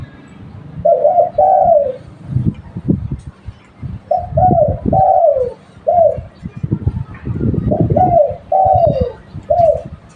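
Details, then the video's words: Spotted dove used to lure other birds, delivering several rounds of soft coos, short notes leading into a longer descending coo, over low rumbling and knocking. "Tekukur lokal buat pancingan"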